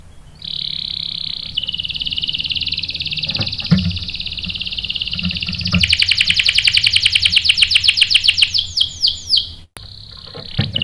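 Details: Canary song used as bait so a male answers with a rolling song: a long steady buzzy trill, then a fast rolling series of sharp chirps that slows into a few separate swooping notes, with faint background thumps.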